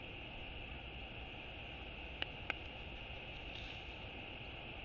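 Constant electronic hiss and a high steady hum, broken only by two short sharp clicks, with no animal calls.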